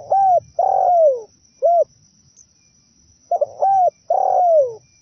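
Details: Zebra dove song intended to lure wild zebra doves. Repeated phrases of crisp coos end in a lengthy falling coo, with a short isolated coo between them, about 80 notes a minute. A constant faint high-pitched whine runs underneath.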